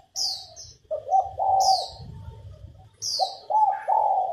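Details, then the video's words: Low, mellow cooing phrases from a female spotted dove meant to stimulate males to sing, while another bird repeats short, high descending chirps and a low rumble runs beneath. "Cu mái gáy kích bổi nhanh nổi, kích trống gù khách, luyện giọng cu gáy mồi"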